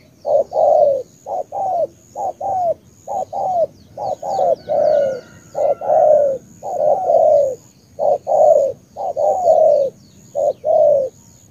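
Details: Cà Mau, Vietnam spotted dove giving a long sequence of rich, throaty coos, brief notes alternating with longer downslurred ones in a rolling, slightly irregular rhythm; a weak high tone hums steadily behind.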